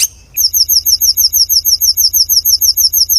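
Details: Oriental magpie-robin song used as training material for songbirds: after a brief high tone, a fast, even series of sharp, high double chirps repeats about three times a second, with faint low rumble beneath.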